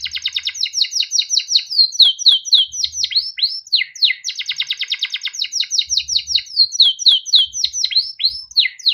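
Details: Canary with a long, continuous rolling song used to train young or reluctant canaries to sing: rapid trills of repeated sweeping notes, fast rattling runs alternating with slower slurred whistles, high and bright without pause, faint low thumps underneath.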